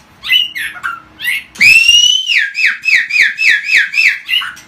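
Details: Agitated white-rumped shama singing non-stop to provoke other birds: whistled, rising notes, then a long bright whistle followed by a rapid string of about nine repeated slurred downward phrases.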